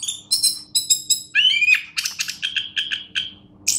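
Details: Champion orange-headed thrush giving repeated bright chirps, then a clear rising whistle and a run of evenly spaced ringing notes, with a faint hum in the background.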